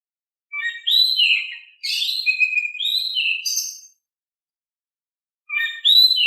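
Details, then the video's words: Oriental magpie-robin in full, energetic song with a calm tone, meant to prompt silent magpie-robins to answer: clear whistled phrases sliding between high and mid pitch in two long bursts, then a fresh phrase after a pause; no other sounds. "Kicau Kacer Gacor Suara Kalem cocok untuk bikin Nyaut Kacer Malas Bunyi"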